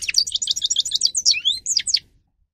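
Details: Song of the grey-crowned goldfinch for training birds to sing. Quick tinkling twitters run into sharp slurred whistles and a few falling notes over about two seconds, then stop cleanly.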